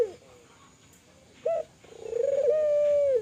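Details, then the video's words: Kelantan-type spotted dove calling energetically, used to prompt other doves to call. A low coo fades at the start. After a pause comes a short clipped note, then a rapidly pulsed onset that swells into a long, steady, drawn-out coo. "Suara burung TEKUKUR gacor, merangsang burung Tekukur agar bunyi, burung tekukur kelantan gacor."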